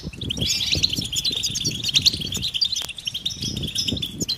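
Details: European goldfinch mating and readiness calls, meant to stir males into singing: a dense, continuous twittering of high, quick tinkling notes and trills, with low thumping and rustling noises underneath.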